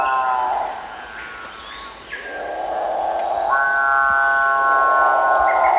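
A Capuchinbird gives a low, grinding growl that swells into a long, drawn-out mooing note, eerie and almost cow-like, with a faint hum behind it.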